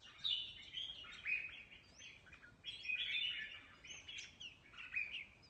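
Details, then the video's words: Competitive singing by a mutant red-whiskered bulbul: short, bright, bubbling warbled phrases repeated about every second, with rising whistled accents. "Chào Mào Đột Biến Hót Đấu Cực Hay"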